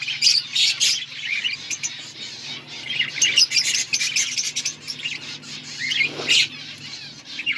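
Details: Budgerigars chirping in an outdoor breeding colony: dense overlapping high chatter, warbles and squawky notes from many birds at once, with a steady low hum beneath.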